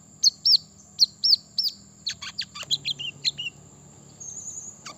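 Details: Brown-throated sunbird song played to provoke rival birds: paired high, hooked whistled notes, then a quicker run of sharp, sliding chips, over a steady thin high-pitched whine and a low hum.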